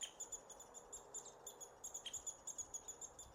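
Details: American three-toed woodpecker nestlings being fed near Willow, Alaska, in June 2016, recorded on a Sony A7R II camera: rapid, thin, very high chittering notes in a steady run of about five per second, with a few sharp clicks.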